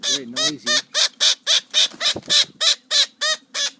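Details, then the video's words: Noisy parrot giving a rapid series of harsh, nasal squawks, about four per second, evenly spaced and of similar loudness, each rich and grating. "Noisy Parrot"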